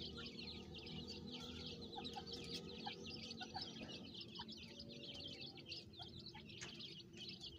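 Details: Farmed francolin chicks with their calling mother: rapid overlapping high peeps throughout, occasional lower chirps, and a stronger low droning hum beneath.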